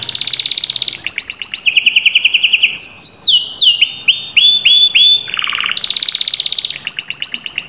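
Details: A canary sings a fierce rolling song, rapid high trills shifting to a lower roll, then falling swept whistles, a deep trilled burst and a return to fast ringing high trills.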